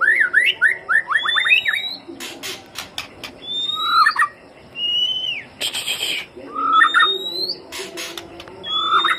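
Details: Lure recording of white-rumped shama song: rapid jumbled chattering phrases, then rising whistles and quick slurred notes in bursts, broken by loud clattering noise bursts.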